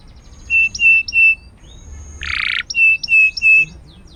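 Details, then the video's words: Canary singing as training song for other canaries: clear, steady, level whistled notes in short groups of three, broken midway by a harsh, buzzy burst. "Suara burung masteran kenari gacor"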